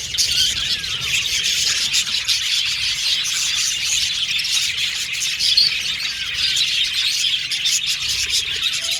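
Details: Contact-calling budgerigars chirping, described as repetitive and insistent; continuous high chatter of scratchy chirps and whistled notes at a constant level.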